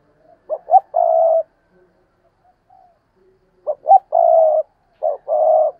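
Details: A decoy spotted dove repeats a phrase of two quick clipped notes and a longer steady coo, first once, then twice in close succession after a pause, deep and mellow with little background.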